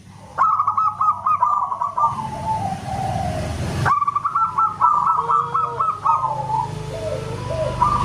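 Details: Loud, whistle-like song of a local zebra dove: fast runs of clipped coos slide lower at the end, separated by an abrupt rushing noise, then a fresh burst of rapid notes.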